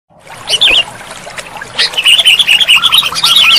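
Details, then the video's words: Sooty-headed bulbul song played to prompt a reluctant bird into full singing. Bright chirpy phrases with short warbled notes, then a lively run of tumbling notes alongside a lower, repeated whistled motif. "Terapi Burung Kutilang Macet Bunyi || Kutilang Malas Bunyi Langsung Gacor"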